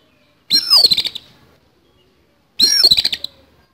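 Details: Oriental magpie-robin in a fight, singing coarse fill-in material: two loud scratchy phrases about two seconds apart, each a downward-sliding whistle tangled with rattling, broken rasps.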